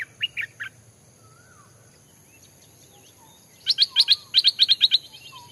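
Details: A newly caught caged Stripe-throated Bulbul, being trained as a decoy bird in a Thai durian orchard, gives a short burst of bright chirped notes, then a faster run of about a dozen sharp, clipped notes; faint distant birds behind.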